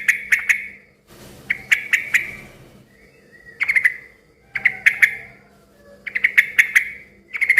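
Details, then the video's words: Busy, noisy yellow-vented bulbul singing a lure song that gets other bulbuls to reply: repeated quick clusters of crisp chirping notes, five groups with brief gaps between. "suara kicau trucukan gacor ribut yang satu ini suka bikin burung trucuk lain ikut NYAUT BUNYI RIBUT"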